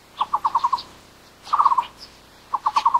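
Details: Taiwan barbet, endemic to Taiwan's low- and mid-elevation broadleaf forests, giving three short bursts of five or six rapid, hollow, low-pitched notes at a steady pitch, separated by brief pauses, with faint higher bird calls in the background.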